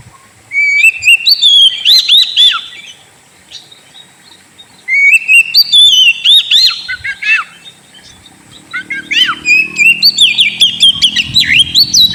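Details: White-rumped shama used as a lure for a sulking caged bird, delivering three bursts of fluid whistles and quick tumbling notes separated by pauses, with a low rumble near the end.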